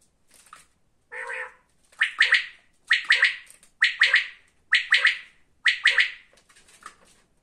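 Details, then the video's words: Quail calling in a steady series, each phrase a quick cluster of three or four sharp, buzzy notes, repeated about once a second with short pauses between. "озимизи жайдари беданалар"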